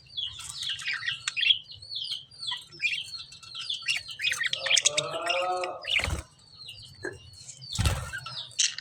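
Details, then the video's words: Lovebird chirping: a busy stream of high, twittering chirps and short squeaks, a brief harsher nasal note in the middle, and two sharp clattering knocks near the end. "lovebird chirping sound"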